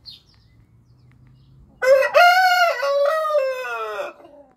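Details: Orpington or Marans rooster giving a single strong crow after a quiet start, a rich harmonic call broken into short syllables then held steady and falling slightly at the end, lasting nearly two and a half seconds.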